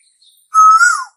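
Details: An Asian koel, the bird said to call in summer, gives a single loud, clear whistled note lasting about half a second that rises slightly, then drops away at the end.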